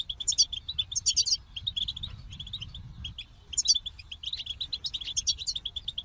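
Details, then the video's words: Rapid goldfinch song: dense runs of high, liquid chirps and trills, broken by a brief pause near the third second, with a soft low hum underneath. "The Captivating Call of Goldfinches"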